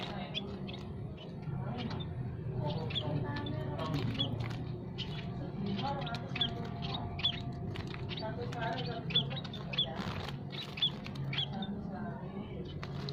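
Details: Aviary of munias, Javan and scaly-breasted, both sexes, chirping without pause: a busy stream of brief sharp high notes and clicks, some in quick clusters, over continuous low-pitched rumble and rustle.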